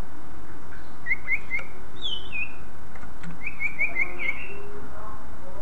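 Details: Song of the greater green leafbird, used to set other leafbirds singing: short repeated chirps, a higher downslurred whistle, then a fast series of similar chirps ending in a rising note, over low hum.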